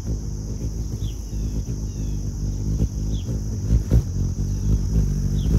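A Ruby-throated Hummingbird's wings give a low, steady, bee-like droning hum. A few faint, high chirps sound about every two seconds.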